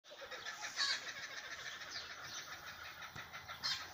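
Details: Several distant Tasmanian kookaburras in a Blackwood tree near a road keep up a harsh, continuous cackling chatter, with louder raucous bursts near the start and end, as they mob a goshawk perched with them.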